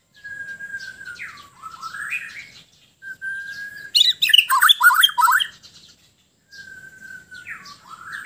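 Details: Bornean white-rumped shama from Sabah, at ease and singing: drawn-out whistles sliding down then sweeping upward, a burst of loud, rapid, jumbled chattering notes in the middle, then the whistled phrase again.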